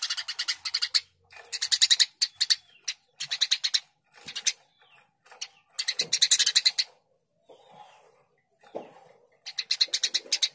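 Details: Eurasian tree sparrow chattering in busy bursts of harsh, rapid chirps lasting around a second each, with gaps and a few softer isolated notes between.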